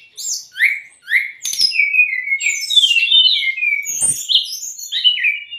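A brown-chested jungle flycatcher sings a quick run of clear whistles: rising sweeps, slurred falling notes and short bright trills, varied and high-pitched with no pauses.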